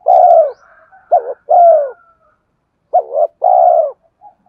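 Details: Spotted dove cooing, used to lure wild birds: low hoarse coos in two pairs, each a short rising note then a longer drawn-out falling coo, about 1.5 seconds apart, with faint short notes between and otherwise quiet.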